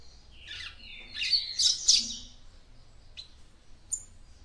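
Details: Female papa-capim seedeater singing to excite her male: a dense burst of high twittering, squeaky notes, then a pause and a few thin isolated chirps. A faint low hum runs underneath.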